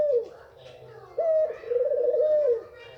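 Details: Calling female white Barbary dove, a sound said to make males eager to mate: a falling note, a pause, then a short flat note running into a long, vibrating coo.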